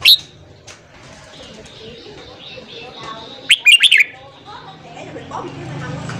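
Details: Red-whiskered bulbul morning song meant to stir newly caught birds into singing: one lively half-second burst of three or four quick, bubbly notes in the middle, with a faint click at the beginning and a soft background hum.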